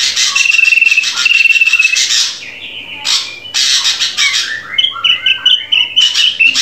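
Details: Drongo song played to teach captive birds to sing: fast rattling chatter with a trilled note, a pause, then harsh bursts giving way to jumbled short whistles and twitters.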